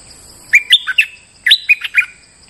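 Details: Bulbul lure song from a moulting bird still singing at full strength: two quick phrases of four to five sharp whistled notes, jumping up and down in pitch, separated by a short pause, over a steady high whine.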